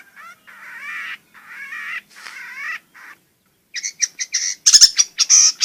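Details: Long-tailed shrike song used as a lure to prompt reluctant shrikes to sing and to tutor young birds: mid-pitched warbled, slurred phrases give way to rapid, high, clipped chattering notes in quick bursts.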